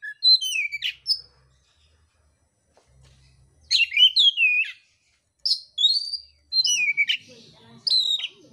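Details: Oriental magpie-robin in fighting song: varied bursts of whistled, slurred and descending notes with short pauses, the phrases growing denser toward the end; faint low rumble.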